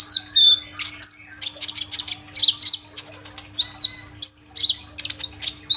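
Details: Kolibri ninja sunbird in busy gacor tembak roll song, used as a lure for immature green birds and recorded on a phone: a mix of high whistles, buzzy sweeping notes and sharp chips, dense and varied throughout.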